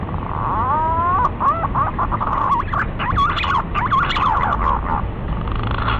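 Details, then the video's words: Green pigeon calling, a sound used to lure the birds for hunting: wavering, looping whistles that twist up and down over a steady background hiss. "SUARA BURUNG PUNAI PIKAT PALING JITU"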